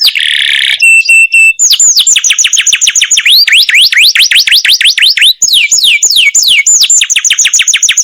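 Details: Canary masteran song: a short buzzy burst and a brief metallic phrase, followed by a long run of fast, high whistled notes that each swoop up and then down, repeated several times a second.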